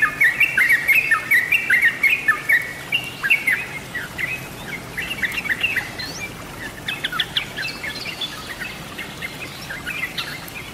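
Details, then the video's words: Yellow-vented bulbul song used as a bird lure: a fast run of chirpy, tumbling notes at the start, then sparser sharp clicks and short chirps. "Terbaru masteran atau pancingan suara burung trucuk/trucukan/crukcuk/jogjog"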